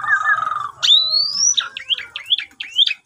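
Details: Javan pied starling song used as a morning lure to get a silent bird singing, recorded on a phone: a long steady whistle, then a rising whistled slide and a run of short squeaky up-and-down notes.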